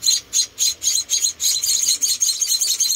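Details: Four rescued munia babies under hand-feeding, giving high sizzling chirps, first in distinct spaced notes, then blending into a faster, almost continuous chatter.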